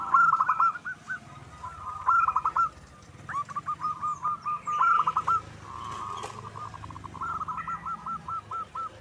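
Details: Wild local zebra dove singing tirelessly, used for luring doves. Several separate bursts of rapid staccato coos, one a smooth sustained purr, spread across the recording with distant background noise.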